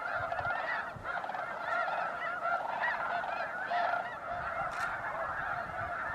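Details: Massed snow geese at Bosque del Apache refuge during December, recorded around sunrise or sunset: an unbroken wall of overlapping nasal honking and yelping from a large flock, steady in loudness, with a brief sharp click near the end.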